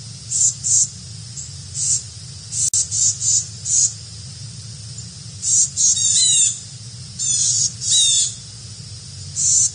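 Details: Two Carolina wrens visiting give short, high, scratchy call notes in irregular bursts, with a few rapid chattering runs, over a steady low hum.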